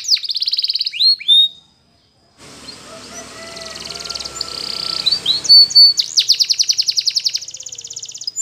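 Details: Spanish Timbrado canary song for teaching canaries to sing: opening trill and falling notes, a short break with low background hiss, then a dense metallic roll of rapid repeated notes building in loudness.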